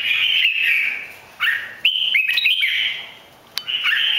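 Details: Red-whiskered bulbul from Bình Định, three seasons old, singing strongly while flicking its wings butterfly-style. Clear whistled phrases, some rising, with short gaps between them; steady background hiss.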